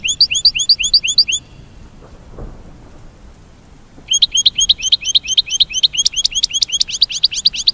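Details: American goldfinch mating call: a quick series of paired high chirps, then a quiet gap, then a long, rapid twittering run of rising chirps and sharp high notes.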